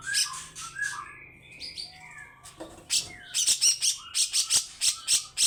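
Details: Grey-cheeked bulbul giving harsh, long rasping song meant to wake other birds. Soft warbled and whistled notes over a low hum open the phrase, then it breaks into a rapid series of loud scratchy bursts.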